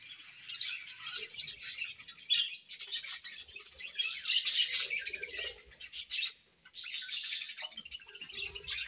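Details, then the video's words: Budgerigars' morning chirping: bursts of bright, buzzy warbled chatter broken by short gaps, with quick chirps in between and light rustling. "Budgies' Morning Chirping Sounds"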